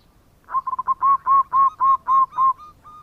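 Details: Local zebra dove singing actively, a bekur-style song used as a lure for other birds. A quick stutter of short hollow coos gives way to six longer, rounded, even-pitched notes, then two softer tail notes.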